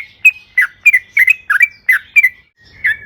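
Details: Yellow-vented bulbul in lively 'gacor' song used as a lure: a short series of bubbly, dipping two-note phrases roughly three per second, ending with a soft rumble.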